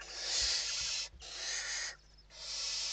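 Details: Western barn owls at a nest in Spain during evening feeding, 29 November 2023: long, loud, harsh hissing screeches filling most of the time, broken by two short pauses, with low thumps.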